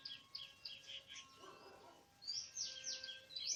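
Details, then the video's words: Oriental magpie-robin in forest, recorded on a bird-trapping outing, 24 March 2017; quick bright chirps and whistles repeated rapidly, a short noisy low-pitched burst between phrases. "Oriental Magpie-Robin:Chirping In The Exciting Wild"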